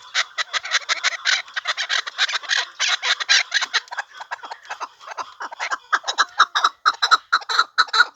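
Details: Captive hunting chukar partridge repeating coarse, gravelly chuck calls in quick uneven bursts, louder at the start and end.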